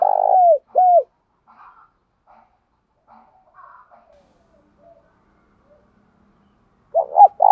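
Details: Spotted dove call meant to stir captive birds to coo back: a long buzzy note and a slurred falling coo at the start, near silence with faint soft sounds, then another low coo phrase beginning at the end.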